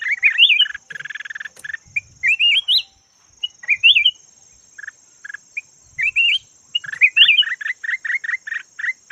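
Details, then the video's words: Red-whiskered bulbul, yellow form, used as a decoy to attract wild birds: repeated jaunty warbled whistles rising in steps, mixed with short chirps, ending in a quick run of chips, over a constant high-pitched tone. "Suab nooog diab daj quạj cuab los zoo heev chim chào mào vàng chim mồi"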